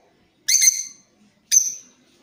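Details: Creamino lovebird used as a lure voice for teaching other birds, two loud rasping chatter notes about one second apart, each a fast fluttering burst fading quickly, then quiet.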